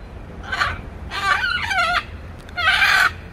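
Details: A pet blue-and-yellow macaw teasing its owner makes a series of throaty, nasal calls, some with wavering tones. Three bursts are heard, the middle one longest.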